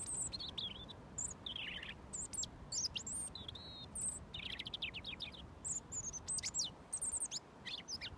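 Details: Robin singing at close range to the person who feeds it mealworms every day; varied high, thin, sweet phrases of rapid descending notes and short trills separated by brief pauses, over soft background hiss.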